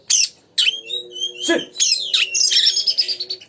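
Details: Kacer, or oriental magpie-robin, in energetic song meant to provoke a rival into singing. Sharp rasping notes and short clear whistles lead into a sustained, warbled high whistle. A faint low drone sits in the background.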